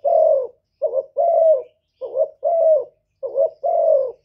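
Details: Spotted dove calling to provoke males, with mellow low coos in a steady rhythm: each phrase a brief broken note and then a drawn-out, gently descending coo, three phrases in quick succession.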